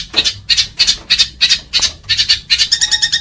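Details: House sparrow fighting call for training pet birds: harsh, broad chirps about three a second, shifting into a quicker series of cleaner chirps.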